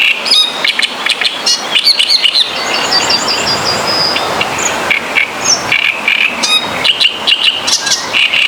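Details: A great reed warbler in Polish reeds by water sings a loud, grating run of harsh, rasping "kara kara kir" notes mixed with squeaky whistles, repeated in quick bursts, a song carrying hundreds of metres; faint insect buzzing beneath.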